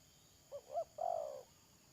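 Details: Decoy spotted dove kept for trapping wild doves, recorded 31 May 2022: one three-part coo, two brief low hooting notes followed by a longer, slightly falling coo, over a quiet background hum.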